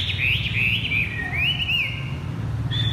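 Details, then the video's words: Caged Chinese hwamei placed on the ground sings in the 'thắt cổ chai' (bottleneck) style, with fluid whistled notes that swoop up and down, slur together without a break, and end in one higher sustained note. "Chim hoạ mi đặt đất hót thắt cổ chai thắt cổ chai"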